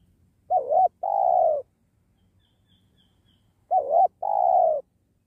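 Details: Spotted dove of the penguku type, used while trapping wild doves by a sacred tree, gives two identical two-part coos about three seconds apart, each a wavering short note then a long burry note; otherwise quiet.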